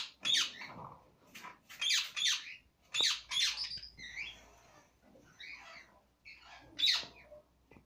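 A rose-ringed parakeet gives harsh, high screeching squawks in short bursts, about one every second, with quieter chattering notes between them.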